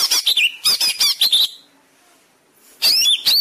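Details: Greater green leafbird master song for caged birds: quick chattering notes and short whistled sweeps, a pause, then another loud chattering burst.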